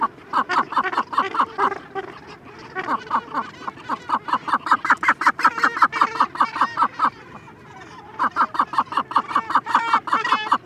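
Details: Close begging calls from a Cape gannet chick with occasional background adult calls: bursts of rapid, harsh, repeated notes, nearly three per second, broken by a short quieter pause before the insistent series resumes.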